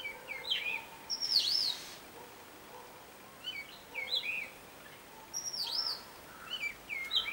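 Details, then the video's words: Robin singing one of its mimicked tunes: a loud swooping whistle opens, followed by paired curling slurs; a similar sweeping phrase returns after about four seconds over low background hiss. "ROBIN SONG 4"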